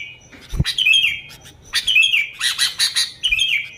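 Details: Energetic sooty-headed bulbul song for luring bulbuls: a few liquid whistled phrases, followed by a rapid burst of chattering notes and a final short whistle, with a loud knock near the start.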